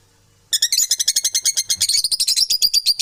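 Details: Domestic parrots calling: after half a second of quiet, a steady burst of harsh, high, rapid chirps, about seven a second, runs on without pause to the end.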